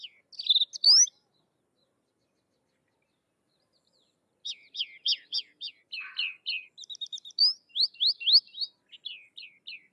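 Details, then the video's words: Sykes's lark in varied song: a brief high burst, a long silence, then a lively jumble of sharp chirps, falling slurs and short trills at a high pitch. "Sykes's Lark or Twany Larks Singing"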